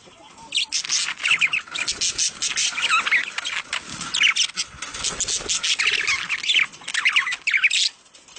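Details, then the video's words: Steady budgerigar warbling for breeding stimulation, rapid buzzy chirps and rising-falling squeaky notes running on for several seconds. "صوت تزاوج العصافير الاسترالي محفز ليهم"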